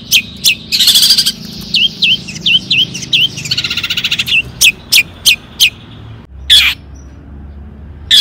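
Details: Long-tailed shrike song meant to make other shrikes sing: rasping chatter mixed with rapid repeated whistled notes, then a run of isolated sharp chips with a short harsh burst.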